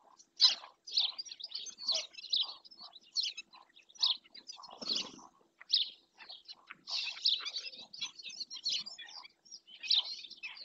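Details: Shrill, piping yelps from a black-winged stilt in Doñana National Park, captured by a webcam, come in quick uneven series with short pauses, plus a soft low thud near the middle.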